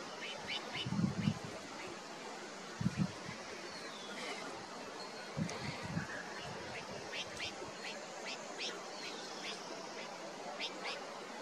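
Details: Slaty-headed parakeet in a low-to-middle altitude Himalayan hill forest, around flowering trees, giving short, sharp high notes in quick bursts of three or four, over a steady hiss with a few low thumps.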